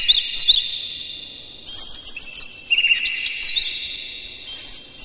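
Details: Morning song of a captive Oriental magpie-robin, used to coax other birds into singing and tail-spreading: sharp upslurred and downslurred whistles in quick clusters, with a constant high ringing tone underneath.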